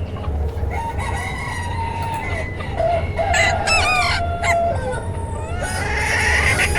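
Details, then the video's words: Chickens of several kinds in a flock, clucking and giving long harmonic crowing notes that overlap, with a busy burst of calls midway and low background rumble. "Âm thanh bầy Gà"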